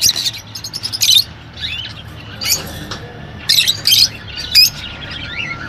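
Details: Squawks from rosy-faced and Fischer's lovebirds, given to encourage mating. Short harsh high bursts arrive a second or so apart, with softer squeaky chirps and a thin whistle in the quieter stretches between them.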